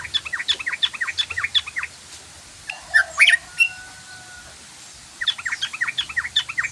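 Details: Rapid 'ngoceh ropel' chattering from a sooty-headed bulbul: quick bursts of clipped, bright, descending chirps, broken midway by a few louder harsher notes and a faint level tone, then the fast chirping resumes.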